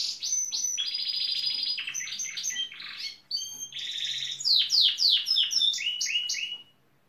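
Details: Gloster canary singing, reportedly imitating building site machinery including a pneumatic drill and digger sounds; sustained buzzy trills, rolled phrases and series of sharp descending chirps delivered rapidly without pause.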